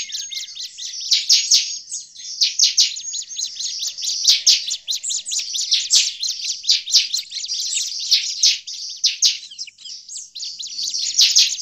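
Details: Bar-winged prinia calling in agitation, a sound used to lure prinias in the forest: long rapid high-pitched chatter of sharp notes, swelling and dipping in bursts over eleven seconds.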